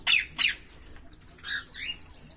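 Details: Green Fischer's lovebirds in a pair giving shrill, squeaky chirps: two loud high notes in quick succession, a pause, then two softer, downward-sliding squeaks.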